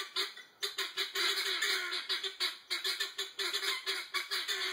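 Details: Disturbed guineafowl in full chatter, giving harsh, scratchy, rhythmic calls in quick bursts, each a few per second, the flock's racket continuous and loud.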